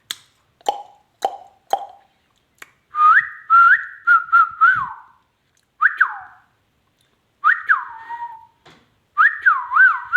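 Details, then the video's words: Ringneck parrot, presented as a talker, opens with short clicks, then gives repeated whistled phrases: steady tones with rising slurs and bouncing, wavering notes. "talking Smart magical ringneck parrot amazing ringneck talking sweet parrot"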